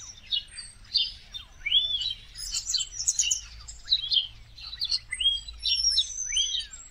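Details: Common starlings, winter migrants in huge flocks in India: a dense mix of high chattering, squeaky notes and short upslurred whistles from many birds at once, with a low background rumble.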